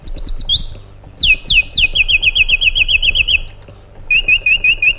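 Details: White-eared bulbul (Iraqi bulbul) song: quick repeated whistled loops, a pause, sharp downslurred whistles, a long even trill of looping notes, then a slower looping series after a gap; low hum in background.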